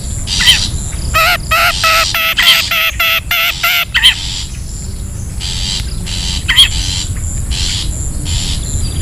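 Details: Long-tailed shrike from the wild, a lure sound. A burst of quick, evenly spaced nasal chattering notes is followed by sparser rasps and a lone sharp note. Low background rumble throughout.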